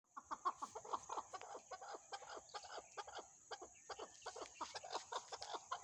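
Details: Chukar partridge giving rapid, uneven clucking notes, stacked chuck sounds bunched into bursts across the whole stretch, with a steady high-pitched whine running behind them.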